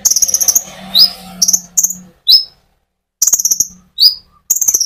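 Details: Konin sunbird singing energetically to stir up other birds: clusters of rapid high-pitched ticking trills mixed with sharp rising whistled notes, with a faint low hum in the first seconds.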